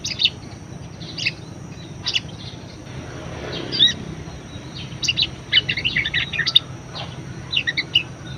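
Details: Budgerigar song, a lively caged parakeet offered as a master song for training other birds: scattered high chirps at first, building to dense warbling, twittering bursts with short squeaks, over a low steady hum.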